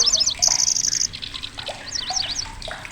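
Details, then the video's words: Migrant grasshopper warbler in Indonesia with a loud, piercing song. Quick high chirps lead into a long, level, buzzing reel, then scattered sharp zigzag notes that fade over a faint background hiss. "KECICI BELALANG"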